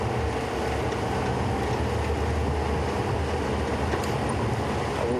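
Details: Loud, steady low engine rumble of a vehicle throughout, with no animal voice.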